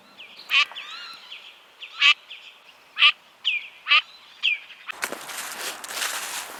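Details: Eurasian teal, Europe's smallest freshwater duck, on the ponds of the Château de Lorge estate woodland, Côtes-d'Armor, France, giving short, clear, high piping whistles about one a second, followed by a burst of applause.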